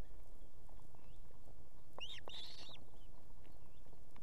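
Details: An osprey female on her Estonian nest with two chicks calls the male to bring food in the evening: a pair of short, bright whistled notes mid-clip, otherwise steady low-frequency rumble.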